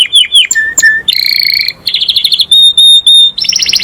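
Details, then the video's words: Master canary singing, described as calling its friends and fighting; varied phrases of clear whistled notes, a low flat whistle, buzzy rapid trills around mid-high pitch and a bright stuttering roll at the end. "O SOM DOS CANÁRIOS MESTRE CHAMANDO AMIGOS E BRIGAS"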